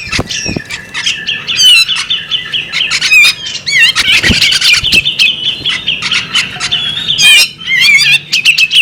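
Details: Female bearded magpie robin in sustained vocalizing: warbled whistles, wavering slurred notes and harsh squawks crowd together without pause, broken by sharp chips and one short quiet gap near the end.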